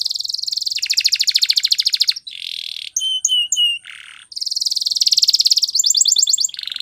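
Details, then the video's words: Spanish Timbrado canary training song: a long rattling trill of rapid pulses, a buzzy burst, a few pure whistled notes, then another extended fast trill and a closing buzz. "Canary singing Bird Sounds At Its Best | Melodies Canary Bird Song"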